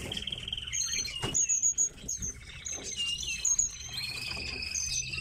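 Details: Captive pet tits chatter with thin, high chirps and short whistled notes, several overlapping in quick succession, with a few soft taps and clicks in between.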